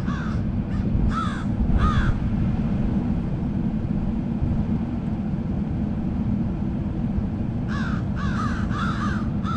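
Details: Several crows calling: three harsh caws at the start, a quiet gap, then a fast burst of four or five hoarse caws near the end, all over a constant low rumbling background.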